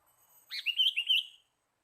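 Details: Sooty-headed bulbul call used as a lure for catching birds: a short burst of bright, warbling notes that rise and fall, lasting about a second, with no other sounds.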